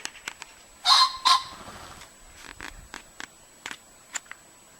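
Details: A male common pheasant, eating overwintered wild apples in a garden in southern Sweden on 9 April 2013, gives a loud, harsh two-note crow, then a series of brief dry flutters and clicks from its wings.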